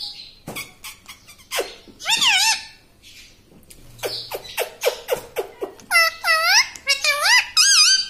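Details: Pet parrot that says "mummy" and "papa": sharp clicks and tongue-like pops mix with several bent, harmonic word-like calls, some clustered in quick pairs toward the end.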